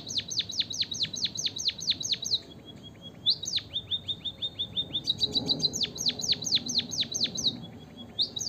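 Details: Lively white-headed munia song for luring quiet munias to sing: bursts of steep downward-slurred high notes in quick succession, alternating with soft flat trills and a few thin high squeaks, over faint background hiss.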